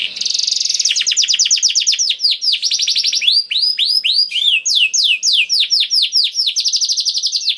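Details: A canary sings a special 'cengkok istimewa' phrase: a buzzy high trill opening into clear, repeated arching whistles roughly twice a second, then quick rolling notes.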